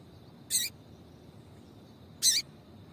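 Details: Female papa-capim call used to provoke male song: two crisp, high, slightly buzzy chips about 1.7 seconds apart against quiet background noise.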